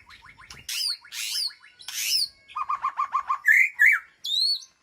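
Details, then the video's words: Aviary-kept white-rumped shama calling to its flock: a rapid stuttering rattle, loud harsh upslurred notes, a series of about seven quick low notes, then bright warbled whistles and a final high sweep. "Sound of White-rumped Shama Call to Flock"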